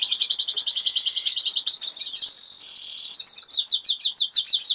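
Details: Song of a Norwich canary, one of two caged birds in an aviary in England, feeding and singing: a fast even high trill of repeated notes, switching near the end to slower, sharper descending notes.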